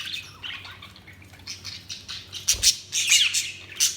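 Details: Budgies chattering softly at first, then louder harsh squawky chirps crowd in after the midpoint, over a low background hum.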